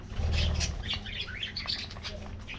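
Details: Colorful budgies in an aviary colony getting their morning diet treat, soft high chirps and warbles scattered over steady low rumble, with fluttering wing sounds early on.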